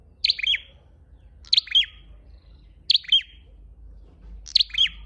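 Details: Red-headed flowerpecker lure call: sharp, high chirped phrases, each a bright note followed by two quick descending slurs, repeated four times about every 1.3 seconds over a faint low hum.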